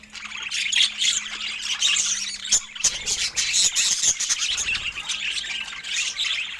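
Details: Budgerigars sharing fruit, a busy stream of buzzy warbles, squeaks and sharp chirps from several birds, with a faint steady low hum underneath.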